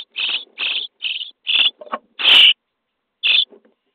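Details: Fed in a nest box on day 23, common starling nestlings beg in quick grating bursts. A single louder, broader screech follows before a pause and one last call.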